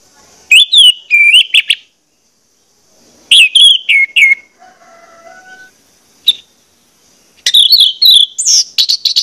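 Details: Orange-headed thrush song played as a lure to stimulate other birds to sing: bursts of loud, rapid whistled and chattering notes with sliding high phrases, separated by pauses, plus a brief soft lower warble in between.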